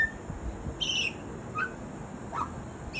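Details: ['Butcherbird mimicking other sounds: a few short whistled notes spaced about a second apart, one higher-pitched slurred note followed by lower brief whistles, over a steady background hiss.']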